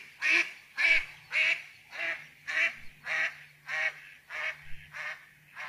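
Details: Duck giving a steady run of ten harsh, nasal quacks, about one every half second, each call short and buzzy with a slight fall, over a faint low hum.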